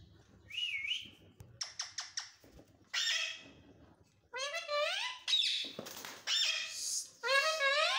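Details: Indian parrot talking indoors: a whistled rising note, a quick series of clicks, then several rasping, speech-like wavering phrases with strong harmonics.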